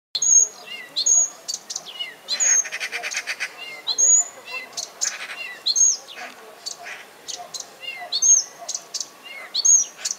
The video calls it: Nightingale sings!